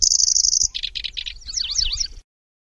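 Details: {'text': 'Lanceolated warbler singing its insect-like nyecret: a bright sustained high buzz, three short rasping lower bursts, then twisting rising-and-falling whistles that fade to silence.'}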